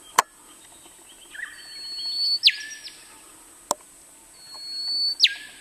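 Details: Male rufous whistler singing in the Burnett region of Queensland, Australia; a rising swell of notes ending in a sharp whip-like crack that drops steeply, given twice, with loud sharp clicks in between.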